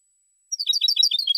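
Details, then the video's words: Goldfinch cante from 2016: silence, then under a second of quick, bright, jangling twitter notes running together, cut off mid-phrase. "Cante De Jilguero"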